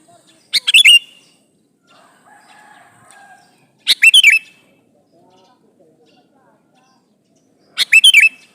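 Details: Sooty-headed bulbul, a male calling for a female, gives three bright, bubbly whistled phrases spaced about three to four seconds apart, with faint thin tones in the quiet gaps.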